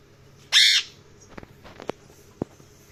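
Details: Parrot giving one loud, harsh chirp of about a quarter second, followed by faint clicks and soft taps against a quiet background.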